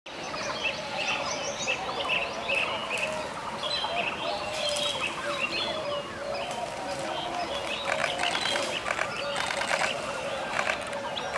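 Chestnut-headed bee-eaters give busy, overlapping chirps and short rolling trills, several birds calling at once throughout, over a steady outdoor hiss.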